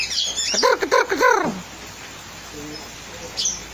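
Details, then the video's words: Oriental magpie-robin singing actively while in training: a short run of loud, harsh, down-slurred harmonic notes in quick succession over about one second, then quiet with a faint note near the end. "kacer gacor sedang di trek"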